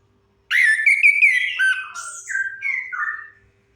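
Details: Orange-headed thrush singing, recorded as a lure to prompt silent birds. One continuous three-second phrase of clear whistles, gliding and stepping down in pitch through several linked notes.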